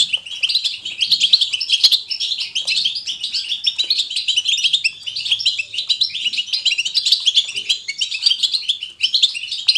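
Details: European goldfinch in natural, lively batbata twittering, chosen to encourage goldfinches to sing: a continuous dense stream of high, rapid tinkling chirps and liquid trills with short buzzy notes, steady throughout.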